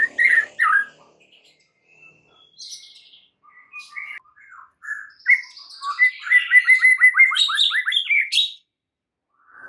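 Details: Varied song of a White-rumped shama played as a lure for other shamas: scattered chirps and whistles build into a fast run of rising, repeated notes, ending with high sharp squeaky notes.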